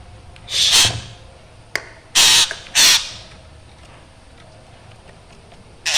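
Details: Black drongo with an eerie, active voice; four loud grating squawks separated by long quiet pauses, with a faint click between them.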